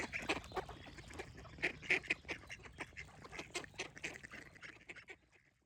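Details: Loud, rasping duck quacks in quick uneven runs, several per second, each harsh and nasal, fading away toward the end, with little background noise.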